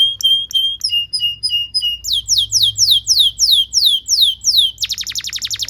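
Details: Canary singing in a recording meant to teach young canaries: short whistled notes, then a series of rising-falling swept chirps about three per second, closing with a rapid dry rattle.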